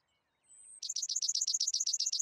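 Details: Worthen's sparrow, a rare bird of the arid open lands of Mexico's Chihuahuan Desert, gives a thin, very high whistle, then a dry, buzzy trill of about nine quick repeated notes per second.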